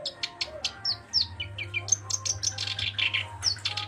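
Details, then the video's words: Black-browed reed warbler singing actively: a varied string of short, sharp high chips and quick down-slurred whistles, speeding into grating, buzzy runs toward the end, with a low steady hum behind. "Burung Kerak Basi Alis Hitam "Sincan" Gacor!!!"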